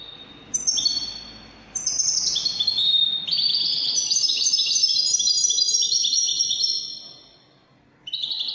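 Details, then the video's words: A Moroccan Widani-style song from a European goldfinch: two short twittered openings lead into a sustained, tinkling passage of about four seconds that fades, then a new phrase begins. "الحسون الويداني الملك الذي يستحق استماع وتمتع في ادائه في التغاريد الويدانية المغربية"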